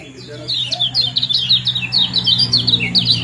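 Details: Kecial kuning call combination meant to stir breeding condition. A dense run of bright, chattering chirps builds after a quiet start, with quick down-slurred notes repeated several times a second over a low background hum.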